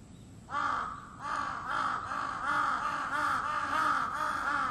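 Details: Crow calling daily from 4 a.m., waking the household each morning; a near-continuous chain of rough, hoarse caws following one another with barely a pause.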